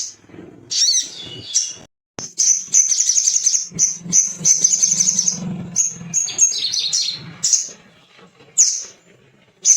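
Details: Male little spiderhunter singing to stir rival birds: scattered high chirps, then a sustained stream of rapid, piercing twitters, over a faint low drone.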